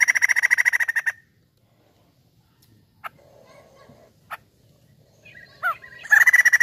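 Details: White-crested laughingthrush gives a rapid, even run of loud, harsh cackling notes, about a dozen a second, then a quiet pause with faint chirps before the chatter bursts out again.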